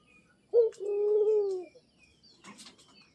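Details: Single coo from a pet zebra dove encouraged to call continuously: a bright short starting note, then a drawn-out trembling low purr, followed by a soft rustle.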